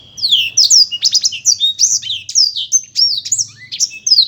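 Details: Black-throated canary song, probably a caged bird: a rapid, continuous run of varied high whistles and sweeping notes with bright trills, delivered in dense bursts over four seconds, with a faint low hum underneath.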